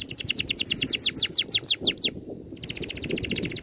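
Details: Fast songbird rolling phrase of clipped, downslurred whistled notes repeated roughly three per second, a short pause, then a tighter buzzy rapid trill, with faint low background rumble.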